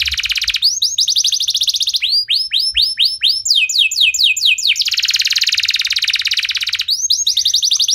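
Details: Canary lure song for getting other canaries to sing. Buzzy rolling trills alternate with series of sweeping whistled notes, dense and loud throughout.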